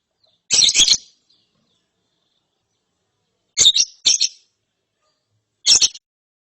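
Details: Young lovebird chick after therapy, giving ngeriwik chirping: three bursts of shrill, harsh, rapidly repeated high chirps about two seconds apart, separated by silence.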